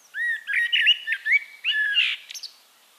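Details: A Eurasian blackbird in Castricum, the Netherlands, sings a single flowing phrase of mellow whistled notes, finishing with a brief high, squeaky flourish.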